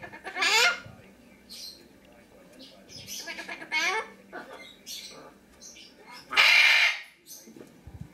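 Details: Pet Lesser Sulphur-crested Cockatoo recorded indoors on 23 September 2010, giving three loud, harsh, broadband screeches about three seconds apart, each under a second long, with a macaw talking softly in the background.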